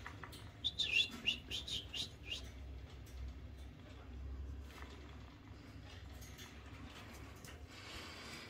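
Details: Marigold lorikeet, a parrot: a burst of shrill, harsh chirping notes in quick succession over about two seconds, then quieter faint chirps and a low background rumble.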